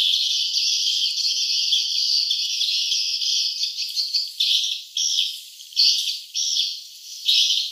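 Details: Swiftlets at a nest site twitter in a dense, high chirping chorus of many birds, running unbroken at first, then breaking into short bursts about a second apart.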